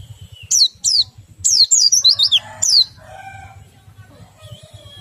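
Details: Oriental white-eye, local ngriwik and ngerol song styles, played to get other white-eyes singing: short clusters of high, steeply falling twitters, followed by a few softer, lower whistled notes and a steady low hum.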